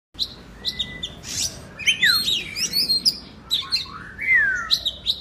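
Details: Oriental magpie-robin, a kept bird in Indonesia, used as therapy to make quiet birds sing: varied song of clear whistled slurs rising and falling between high notes, mixed with short harsh bursts and sharp chirps.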